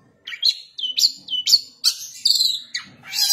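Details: Long-tailed shrike's song in the kasaran style, a run of sharp upward-flicked whistles with brief steady tones, ending in a loud buzzy rasp.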